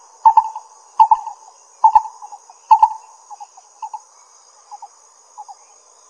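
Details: Pingtung County, Taiwan, 22 May 2016: a lesser coucal's hollow paired notes come loud about every three-quarters of a second, then taper into softer scattered notes; a faint high constant hum runs underneath.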